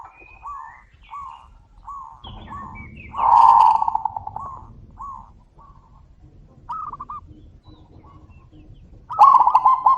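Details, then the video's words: Zebra doves calling back and forth: a run of short soft coos, a loud harsh rolling coo with low background rumble, then a bubbling trilled coo at the end; faint chirps of other birds. "suara panggilan burung perkutut - saut sautan - suara besar"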